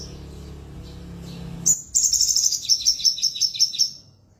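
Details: A caged crested jay, tail missing, gives a sharp high note, then a buzzy trill that breaks into evenly spaced, high chirps, about seven in two seconds, fading to quiet.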